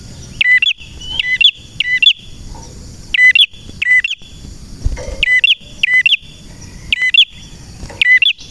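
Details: Persistent male prenjak song: about nine bright chirping phrases in eight seconds, each a sharp high twitter ending in a lower clipped note, delivered in an uneven but steady rhythm.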